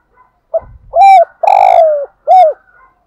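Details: Decoy spotted dove cooing to lure wild doves: a single phrase of a short pip, a rounded coo, a long falling coo and a final rounded coo, low-pitched and hollow.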